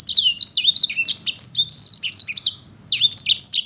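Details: Sanger paud in energetic song: rapid high whistles and looping slurred notes delivered in quick bursts, with a brief pause near the end before the phrases resume over a soft low hum.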